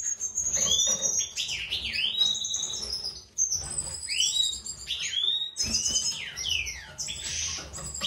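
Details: Captive European goldfinch breeding pair, mutation male with white throat and classic female: lively song of sweeping, looping chirps and twitters in three phrases separated by short gaps.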